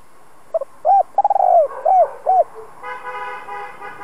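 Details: Spotted dove used to provoke and train decoy doves, cooing a clipped double note, a long hoot, a rapid falling stutter and two closing notes, followed by a steady horn-like mechanical drone.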